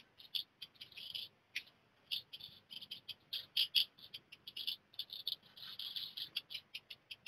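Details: Black redstart chicks fledging, with three young leaving the nest within a short time. Dense, high, scratchy calls come in rapid overlapping bursts, some grouped into brief chattering runs, almost without pause.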